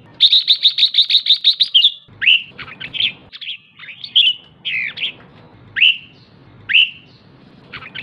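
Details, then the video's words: Red-whiskered bulbul female calling to excite males, opening with a rapid string of about ten ringing chips, then spaced, slurred whistles and warbled notes repeated roughly once a second. "Chào mào mái ché/chào mào mái ché kích trống/ché kích trống căng lửa nhanh ché"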